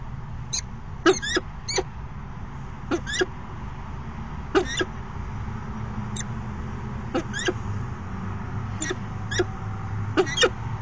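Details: Courtship dance of a male and female falcon at their nest box, afternoon, 29 September 2016: sparse, sharp clipped notes, singly or in quick pairs, scattered over eleven seconds against steady low rumble.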